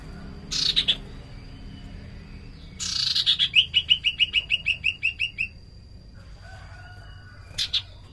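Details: Common iora song used as a lure sound: a harsh buzzy burst, then a run of about eleven quick, downslurred whistled notes. Another short buzzy burst follows, over a faint steady high whine.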